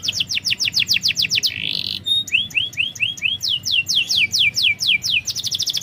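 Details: Lively canary song intended as a lure for a bird slow to sing: rapid repeated high sweeping notes, a short buzzy burst, rising whistled slurs, then more quick sweeping trills.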